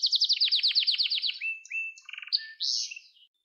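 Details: Canary singing a training song for young canaries, starting with a rapid series of descending slurred notes, then short flat whistles, a low buzzy rattle and a final bright rising-and-falling phrase.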